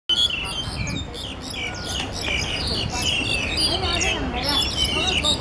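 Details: Black-collared starlings recorded on 21 October 2012 give a busy run of loud whistles, squeaky chirps and harsh notes, mixed and overlapping, over a low rumble of background noise.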